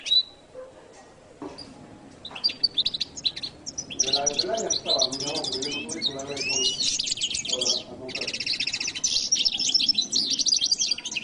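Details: Latin goldfinch singing a long, dense, high-pitched twittering song full of fast trills and buzzy rattles, building in intensity, with a brief lower murmur underneath in the middle.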